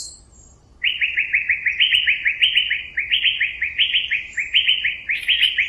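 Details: Asian fairy-bluebird (Irena puella) giving a fast, steady run of short, liquid mid-pitched notes in slightly rising groups after a few faint high squeaks; music and applause in the recording.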